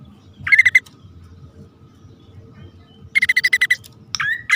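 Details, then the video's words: Bar-winged prinia, male and female calling in a lure recording: two quick bursts of evenly repeated sharp notes, about six to eight in a row, then a rising whistle, with long quiet gaps and low rumble. "suara pikat prenjak poci/hutan jantan dan betina memanggil jitu"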